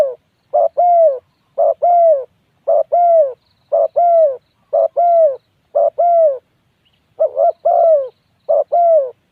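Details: Repeated coos of a spotted dove: about eight evenly spaced phrases, each a brief clipped note followed by a longer mellow hoot that droops slightly at the end, with no other sounds.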